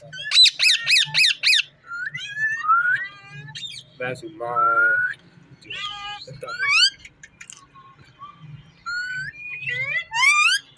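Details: Rose-ringed parakeet talking: bursts of harsh repeated squawks open, followed by whistled rising and falling phrases and speech-like harmonic notes in quick succession, with soft background music.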